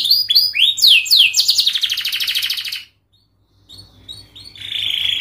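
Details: Canary song meant to teach young canaries: quick descending whistled notes rolling into a fast trill, a second of silence, then softer chips and a steady high buzzy trill.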